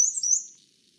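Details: Black-and-white Warbler song, a Newfoundland bird: very high, thin, squeaky notes alternating high and low in quick two-note phrases, like a squeaky wheel turning with each revolution. Nothing else is heard.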